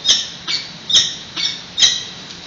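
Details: Peregrine falcon calling at a San Francisco nest site during a nest exchange, recorded by a webcam on 28 May 2017 in mid-morning. Five rasping, high-pitched squawks follow one another about every half second, each starting sharply and fading quickly.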